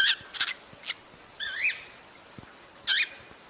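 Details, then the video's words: Cockatiel giving a breeding-stimulation call: quick harsh chirps followed by a drawn-out, upslurred screech with clear overtones, then another short rasping call. "صوت تزاوج الكوكتيل لتحفيزها"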